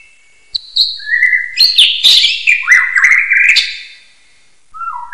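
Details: Common hill myna whistling, used as a training recording for other birds: one continuous run of whistled phrases with sudden jumps and slides between notes, some harsh accents, then a quiet gap and a short low whistle at the end.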